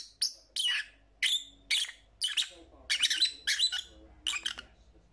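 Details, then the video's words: Shrill lovebird calls, each note a buzzy, slightly falling squawk, repeated about every half second in a steady series of roughly nine notes. "Lovebird Sounds"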